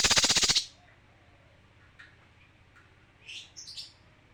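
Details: A male kinoi opens with a loud, rapid, buzzy high trill of about half a second, then stays quiet before a few soft high chirps near the end, over a steady low hum.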